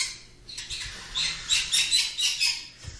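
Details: Three 7-week-old green-cheeked conures give a run of harsh, raspy squawks, about two a second, overlapping in a high, scratchy chatter with a faint hum behind.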